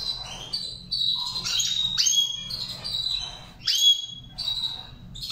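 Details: Goldfinch in training, singing a Saira-style song: bright twittering phrases with sharp downward-sweeping whistles, slurred buzzy notes and quick trills, delivered in bursts with brief pauses; low hum underneath.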